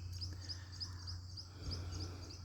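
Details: Several of about ten Northern Mockingbirds in a backyard tree near a house call at once, mimicking robin, mourning dove, starling, blue jay, cardinal and other birds. They give high, sharp chirps repeated every third to half second over a steady low rumble.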